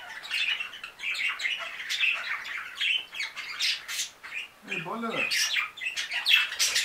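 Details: Five newly acquired budgerigars produce a constant flock babble of harsh squawks, squeaky twitters and warbled phrases, including a brief lower wavering note midway.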